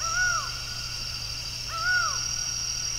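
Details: A laughing falcon's song in the predawn dark of Brasília, Brazil, 27 October 2023: two arched, descending notes about 1.6 seconds apart, set against a steady high-pitched insect chorus.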